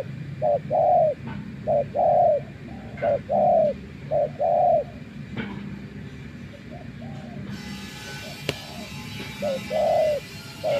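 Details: Decoy spotted dove in a trapping setting, tamed after days in the wild, gives a run of short-then-long coo pairs over the first five seconds, then a quiet stretch with a faint hiss and one sharp click before a last coo pair.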